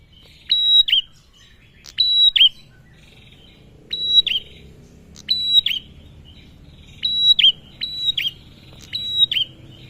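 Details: Male bar-winged prinia calling, used as a lure to make other birds sing: sharp high clicking notes, each dropping into a short buzzy slur, given singly or in pairs every one to two seconds, with soft chattering between.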